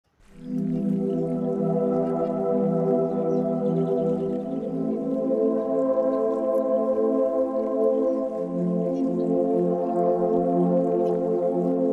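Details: Steady, droning ambient music with sustained layered tones; no animal voices stand out.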